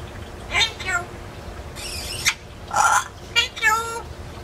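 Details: Pet parrot that talks but cannot yet whistle, kept in an indoor aviary and caged only when brought out; several short harmonic, speech-like utterances spaced about a second apart, with a breathy hiss between them.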